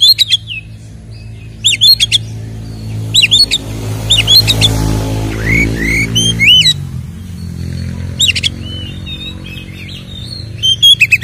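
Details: Oriental magpie-robin in fighting song with ngeplong fill, played as a lure to rouse other birds: bursts of bright curling whistles and clicks separated by gaps, over a steady low rumble like an engine or music.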